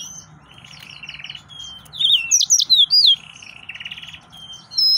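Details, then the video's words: Male yellow-fronted canary in excited song, opening with a soft buzzy trill, rising into a loud run of bright looping whistles, then easing back into buzzy trilling. "تغريد مرعب سورا الموزمبيقي"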